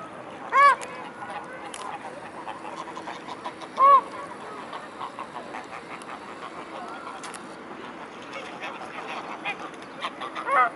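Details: Evening gathering of mute swans at Blaues Wunder, 19:25 on 22 May 2016. Three sharp, harsh honks stand out, spaced about three seconds apart, with soft chatter and low calls from the flock between them.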